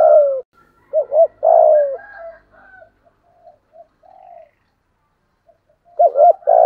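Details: Decoy spotted dove, 'thổ' voice, used to lure wild birds: low double coo then a long descending coo, followed by scattered softer, higher notes and another coo phrase at the end.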